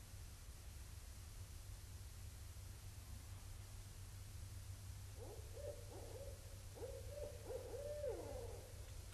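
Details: Barred owls vocalizing at Indian Cave during autumn 2012, raccoons nearby; after five quiet seconds of low rumble, a burst of rapid, cackling mid-pitched hoots with downward slurs.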